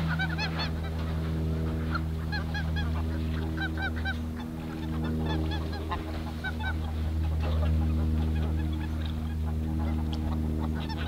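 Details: Many greater white-fronted geese heard at NSG Ahsewiesen on 17.02.2019, 14:50; rapid squeaky, laughing honks repeated constantly, layered over a strong continuous low drone.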